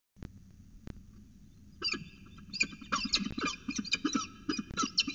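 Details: Peregrine falcons at their nest with eggs, Orange, CSU, New South Wales, 5 September 2020. After nearly two seconds of quiet with two sharp clicks, bursts of harsh, squeaky harmonic calls begin and grow denser and more rapid toward the end.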